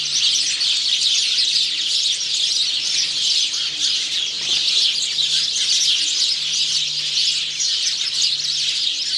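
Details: Male house sparrow singing on 17 November 2009: continuous high chirping and squawky twitters fill the whole stretch, with a faint steady low hum beneath.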